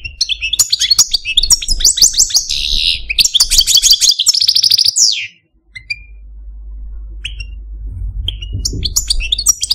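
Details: Male Algerian parva goldfinch in a cage pours out fast twitters and buzzy trills for about five seconds, then goes quiet, leaving a few sparse, thin whistled notes over faint background hum.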